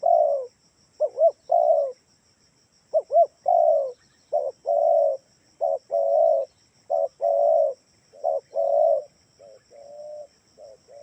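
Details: Lure call of a spotted dove, meant to prompt caged doves to answer: a steady series of low husky coos, short arched doubles and longer rolling notes, nearly one per second, fading toward the end, with a thin high whine.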